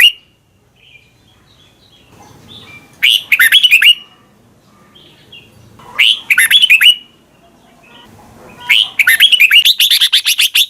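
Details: Thai recording of Red-whiskered bulbul song, for young birds to copy: three phrases of quick, bright whistled notes about every three seconds, the last longer with a rapid run of chattering notes, faint low noise between.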